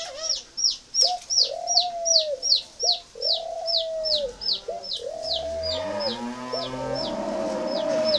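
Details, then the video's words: Spotted dove of the mỏ đinh type, kept at a dove farm in Ba Vì, northern Vietnam, giving drawn-out, even hoarse coos, each about a second long. A high, sharp chirp repeats rapidly overhead, and low clucking, fowl-like sounds build near the end. "Giống chim cu mỏ đinh"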